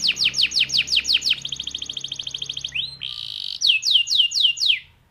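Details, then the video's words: Canary (kenari) song of loud, sharply falling whistled notes in quick series, a fast high buzzy roll, a short rising glide and more falling whistles; faint low hum. "KENARI EXTRA JOSS SIAP JADI PENJANTAN ROLL PANJANG ATAS BAWAH"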